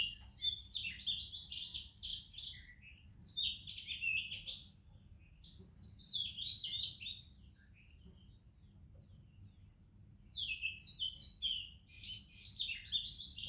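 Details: Oriental magpie-robin and other birds singing in the morning in India: dense clusters of varied whistles, trills and chirps in phrases of two to three seconds, then a lull, under a steady thin insect whine.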